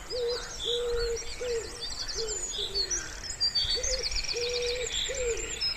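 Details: Wood pigeon calling beside a still pond in spring: low, soft cooing phrases of short and drawn-out notes repeated in rhythmic groups, with thin high twittering and trilling songbirds above throughout.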